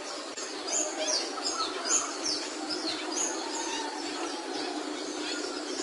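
Capuchino seedeater song: quick, high whistled notes and short slurred chirps tumbling in irregular phrases over a steady background hiss.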